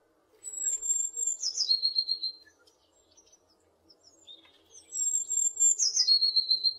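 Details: A tit calling with two thin, very high whistled phrases, each a long steady note that slides down into a lower held tone with a slightly wavering, pulsing quality. The phrases come roughly four seconds apart over a faint low background hum.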